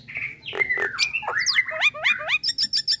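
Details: Nias hill myna giving a relaxed calling sound: slurred whistles and squawky notes tumbling together, ending in a quick series of high, evenly spaced chips.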